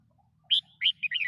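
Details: A red-whiskered bulbul sings a short, loud phrase of three or four bright chirped notes, each sliding and warbling, close and clear against a quiet low background hum.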